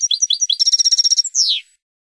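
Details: Cage-bird training recording of a Spanish European goldfinch singing: a few quick twittered notes, then a fast buzzy trill of repeated notes, ending in a drawn-out descending nasal note, clean and without background noise.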